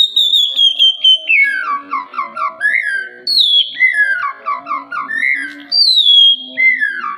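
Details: Oriental magpie-robin song meant to prompt other birds into singing: clear whistled phrases that begin high and slide downward, followed by short bubbly notes, the pattern repeated three times.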